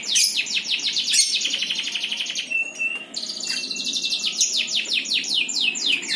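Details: A singing bird delivers long, fast trills of high descending notes, broken by a short steady whistle, then resumes rapid sweeping phrases.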